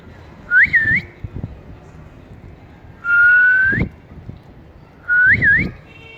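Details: Ring-necked parakeet, a pet talking bird out in cool weather, whistles three times: a quick up-down wavy note, a long level tone rising at its close, and another wavy twist, with faint thumps beneath.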